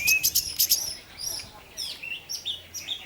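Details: Orange-headed thrush (anis merah) song used as a lure to make other thrushes sing: scattered high, thin chirps and short whistled slurs with gaps between bursts, some sharp clicks.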